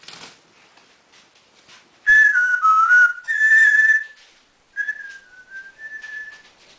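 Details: Household African grey parrot, male, whistles two loud wavering notes, then a long steady tone; after a pause, softer level whistles follow in a short sequence, against a faint indoor background.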